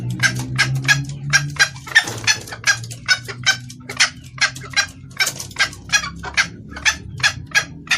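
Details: Female red junglefowl calling to a male, a clear call for luring cocks. Dense, fast clucking notes, nearly three per second, with a louder burst near the second second, over low humming noise.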